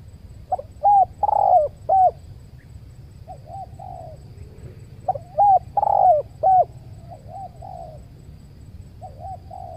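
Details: A spotted dove being lured with a decoy bird at a new site beside a durian orchard gives two soft, mellow cooing phrases about four seconds apart. Each is a few hollow rising-falling coos trailing into quieter notes, over a low steady rumble.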